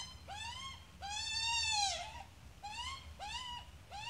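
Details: Australian magpie with chick: one short and one long, loud, harsh nasal call, then three shorter arched squawks in quick succession.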